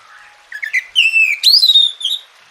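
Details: Oriental magpie-robin, singing in a recording for quiet birds to learn from: soft low notes build into a long descending whistle, then a sharp upward slur and a sustained bright warble.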